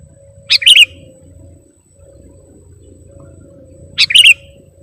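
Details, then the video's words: Kutilang, the sooty-headed bulbul, as a lure (pikat) singer: two identical short phrases about three and a half seconds apart, each a bright chip leading into a rolling liquid warble, with a low hum between. "KUTILANG PIKAT || BURUNG LEGEND FULL ISIAN DAN GACOR"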